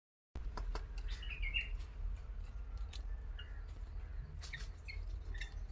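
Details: An Indian bulbul gives short, bubbly chirps in brief bursts a second or two apart, over a steady low rumble and scattered clicks.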